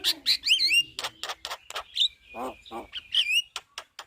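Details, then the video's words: Javan myna in lively chattering voice, a master recording for tutoring other birds, mixing wavering slurred whistles with short clicks and two deep rasping growls, then more whistles and sharp ticks. "Burung Jalak Kebo Gacor Ngoceh Bikin Ribut Semua Burung- Masteran Burung jalak"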